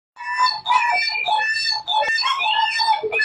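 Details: Hooded butcherbird singing a run of rich, fluty whistled notes with strong overtones, mostly mid-pitched with a few lower dips, delivered almost continuously over about three seconds.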